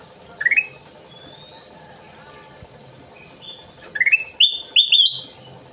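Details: Kutilang emas bulbul in lively song: an opening stuttered rising whistle, faint thin whistles through a quiet middle, then a burst of clear rising whistles that end in long bright notes. A low hum underlies everything.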